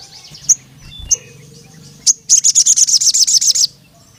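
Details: High, sharp single notes sound at intervals before a crimson sunbird calling a rival male delivers a rapid run of about a dozen piercing, evenly spaced chips, then falls quiet.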